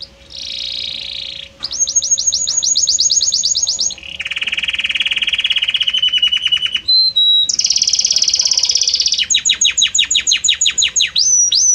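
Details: Belgian canary singing a harmonious song of varied notes that shifts gradually from one note to the next: long high buzzy trills and rapid repeated chirps in sections at different pitches, loud and close, with a faint steady hum beneath.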